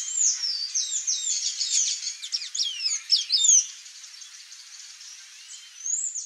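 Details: Thraupis palmarum, the palm tanager, gives a loud, dense burst of thin squeaky chips and slurred whistles for three seconds, then quiet hiss and one final rising-falling squeak.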